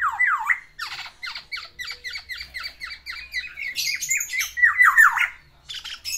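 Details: Courting a female, a kept black-naped oriole pours out its song: a swooping whistle, then a quick steady series of short clipped notes, brief high squeaky bits and a final rising, slurred phrase.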